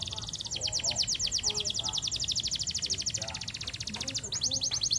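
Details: Canary master song for training, near a garden edge: a steady, very fast high trill running for about four seconds before a pitch shift, set against a noisy background with faint low sounds.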